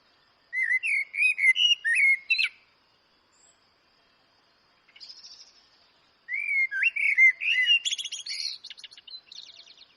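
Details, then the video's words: Two Eurasian blackbird phrases separated by a quiet gap. Each has low, fluting, warbled whistles, and the second ends in a fast, scratchy, high-pitched twitter. "Eurasian Blackbird Signing Relaxing Birdsong for Nature Lovers & Cats"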